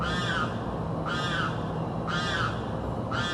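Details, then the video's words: Screaming bird from South Florida, heard calling day and night: four loud, raspy, arched screams repeated roughly once per second, evenly spaced, with a constant low background hum. "screaming bird"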